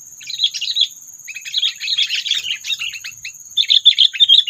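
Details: Sooty-headed bulbul calls used as a lure to provoke predators when trapping birds: three bursts of fast, scratchy chattering and chirps, the longest in the middle, separated by short gaps, over steady high hiss.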